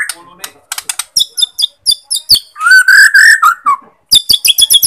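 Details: Borneo white-rumped shama song intended to provoke unmotivated shamas: quick high chips and stuttered notes, then a strong, rolling warbled phrase, followed again by a run of high sharp notes.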